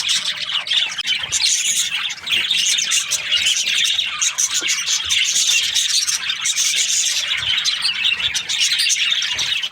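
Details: Budgerigar breeding pairs kept in an aviary keep up a steady wall of high, chattering chirps and warbles, with no pauses throughout.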